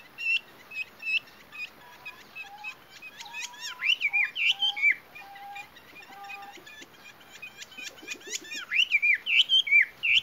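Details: Chinese hwamei (Garrulax canorus), female call: female calling to lure males.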